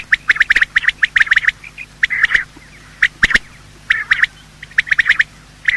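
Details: Male and female quail calling at morning, a recording for luring quail: bursts of crisp chirps in short clusters separated by brief pauses, with one loud sharp click near the middle.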